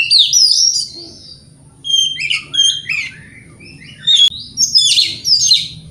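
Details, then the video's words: Oriental magpie-robin, a recording used to provoke other magpie-robins, sings loud, varied whistled phrases in quick bursts, sweet notes mixed with sharper chirps, each burst separated by short pauses; a faint low hum underneath. "Dengarkan Pancingan Kacer Ini - Kacer Jenis Apapun Gak Kuat Nahan Emosinya"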